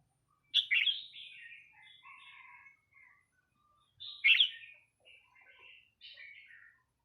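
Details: Red-whiskered bulbul singing short, bright whistled and warbled phrases that dip and flutter, two main bursts about three seconds apart, each trailing into softer chatter, with a quiet background.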